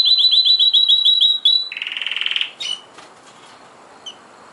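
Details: Canary singing powerfully: a quick series of repeated high chirps, then a rattling buzzy roll that fades, leaving faint background hiss and one short chirp.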